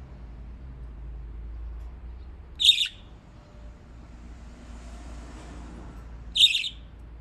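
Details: Pet budgerigars in Japan playing in water; two short, bright, harsh chirps spaced a few seconds apart over a low background hum.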